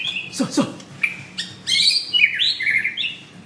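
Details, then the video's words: Caged white-rumped shama with a blue ring, recorded close up at a Jakarta bird shop, giving high whistled notes and buzzy rising phrases after a couple of soft sharp clicks. "Murai Batu Gacor"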